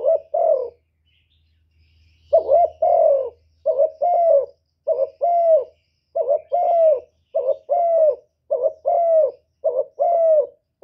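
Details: Spotted dove in calling, urging and cooing mode, used to provoke wild doves: one coo, a short silence, then a steady series of about eleven husky, low coos, each dipping slightly, spaced under a second apart.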